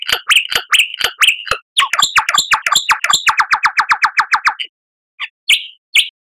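A lyrebird sings loud, ringing whistles with sharp clicks, then a fast run of about a dozen falling notes, a short pause, and a few final whistles.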